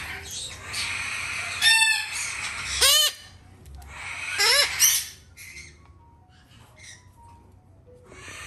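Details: Male red-shouldered macaw chick kept in a shop and hand-fed three times a day; several harsh, rasping squawks in two bursts, then quieter faint chirps and room noise.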